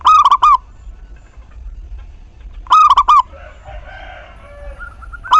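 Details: Local zebra dove singing to provoke other doves into song: loud phrases of four quick cooing notes repeated roughly every two and a half seconds, with faint murmuring between.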